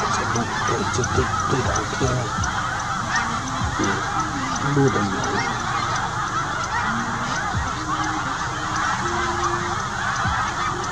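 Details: Large flock of snow geese, parents with this year's Arctic-born young, pausing on southward migration near Winchester in the evening; a continuous wash of honks from the crowd, with short nasal calls from closer birds standing out.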